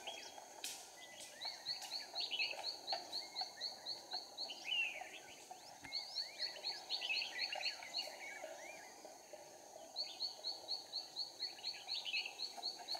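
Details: Red-whiskered bulbul used as a decoy to lure others for trapping in Hòa Bình, Vietnam: three bursts of rapid repeated whistled notes separated by pauses, interwoven with warbling and chattering phrases, and a few sharp clicks.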